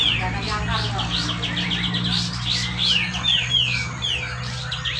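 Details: Cucak jenggot, the Grey-cheeked bulbul, at a Malinau, North Kalimantan singing contest; its dense 'besetan rapet' song lures lazy birds into song. Rapid chirps give way to a run of falling whistles over a steady low electrical hum.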